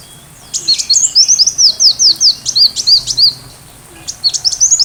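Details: Sunbird song meant for teaching a white-rumped shama: loud, very high, clear notes sweeping downward in a rapid string of repeated chirps, then a pause before another short run.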